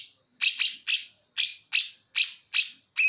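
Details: Greater green leafbird from Banyuwangi singing with bearded bulbul material: a run of short, harsh, buzzy chip notes spaced about every third of a second, sharp and bright, with no other sounds.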